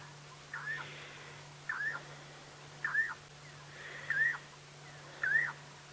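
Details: Cuckoo the guide thought could be Jacobin or Levaillant's, calling during rain with distant thunder on a 5:30 PM safari drive on 25 February 2017: five short, slurred whistled notes, each dipping then rising, about one per second, over steady hum.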